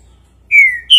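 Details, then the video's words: Green-winged saltator giving two clear, loud whistled notes, the first drawn out and gently falling, the second higher and sharper, part of a five-note 'bom dia seu Chico boi' song. "trinca-ferro (bom dia seu Chico boi 5 notas)"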